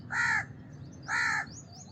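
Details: House crow delivering two drawn-out, grating caws about a second apart, with a few faint high chirps after the second.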